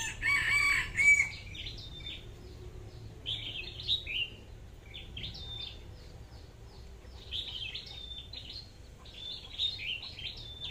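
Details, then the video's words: Red-whiskered bulbul kept as a decoy bird, a red-headed bird of the 'AK' voice style, singing short warbled whistled phrases at moderate pitch, repeated with brief gaps, fairly faint over steady low background hum and noise. "tiếng hót chim chào mào mồi/sâu đầu đỏ cọp giọng AK"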